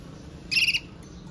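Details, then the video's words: Red mosaic agate canary in powerful song, a short quick trill of rapid pulsed notes with a bright overtone, lasting about a quarter second against low background hum. "CANARIO CANTANDO - Powerful song of Red Mosaic Agate Canary"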